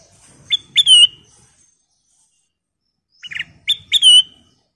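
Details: Bulbul call played as a lure to make others sing: two loud phrases about three seconds apart, each a few quick clipped notes leading into a bright whistle that drops and trails off.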